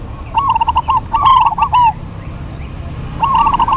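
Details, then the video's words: Local zebra doves dueting: a run of soft rolling coos climbs into a louder trilled phrase, a brief silence, then another rippling coo begins, over a low steady hum. "DUET PERKUTUT LOKAL GACOR PALING RAME PASTI SEMUA NYAUT"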